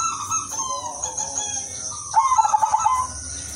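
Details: Singing udanmas silver zebra dove, its melodious rhythm used as a lure for other doves: soft drawn-out tones first, then a strong rapid pulsed coo lasting under a second, over a continuous high-pitched hiss.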